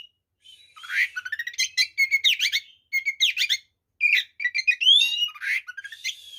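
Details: White-rumped shama in full fighting song, used to provoke other shamas: a rich, rapid medley of whistled notes, buzzy trills and sweeping rising slurs, delivered in quick bursts with short pauses, loud and clean against silence.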